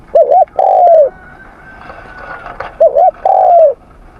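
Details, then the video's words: Spotted dove practising its morning voice, giving two phrases, each a quick wavering double note and then a drawn-out downslurred coo, over a faint high whistle between them. "Tiếng Chim Cu Gáy// luyện giọng cu gáy buổi sáng"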